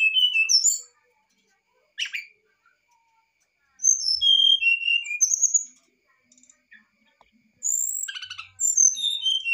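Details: Excited brown-chested jungle flycatcher song used to draw a response from another bird: bursts of high clear whistles, some slurred downward, separated by silent gaps, with a sharp chip note and a closing twitter.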